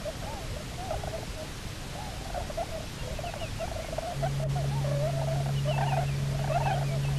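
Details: Cahow, or Bermuda petrel, calling after a pair returned to Nonsuch Island on 29 October 2018. Rapid runs of wavering, quavering mid-pitched notes come in quick succession over constant low background rumble, with a faint steady hum later.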